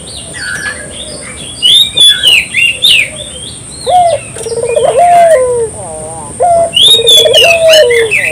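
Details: Local puter dove lure recording. Small birds chirp and whistle high and busily at first, then the dove gives two rolling tremolo coos, each opened by a short high note and ending in a falling tail.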